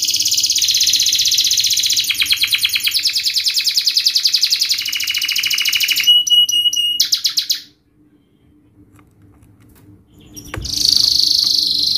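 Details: Canary with a continuous buzzy, rattling trill shifting in pace, a few clipped notes, a near-silent gap with a click, then the rolling trill resumes.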